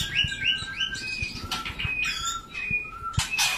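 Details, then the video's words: White-rumped shama while mating: a rapid series of clear rising whistles, then sustained high notes with scattered flutter bursts and light clicks in the background. "Begini kalau murai batu kawin"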